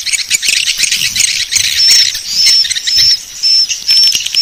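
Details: Swiftlet calling sound used as a lure: busy, high-pitched chattering twitters, later joined by a series of short, thin whistled notes repeated roughly every half second over a steady buzzy background.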